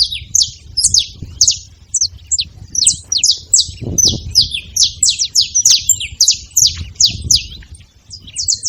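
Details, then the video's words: Saffron finches, known locally as canarinhos, chattering at a feeding station with busy high chips and brief buzzy slurs from several overlapping birds, plus faint low thumps and rustles. "Canarinhos fazendo barulho na seva"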